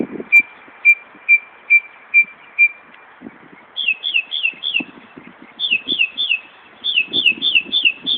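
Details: At Buckland Park, Brighton, NY, a northern mockingbird mimicking a car alarm repeats a single pure whistle six times, then changes to rapid runs of paired falling notes.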